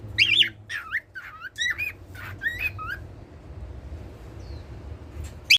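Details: A pet cockatiel's daily singing: several looping whistled notes over about three seconds, followed by near quiet and a final brief note.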